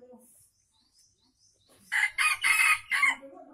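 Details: Aceh junglefowl kept for luring wild birds gives a loud, raspy crow broken into several short, forceful bursts over about a second, after faint low sounds and near silence.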